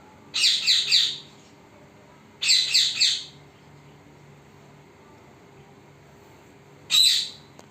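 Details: Pet parrot recorded secretly indoors without seeing the recordist: three bursts of high, rapid chirping notes, each lasting about a second, separated by quiet pauses, with faint steady room hum.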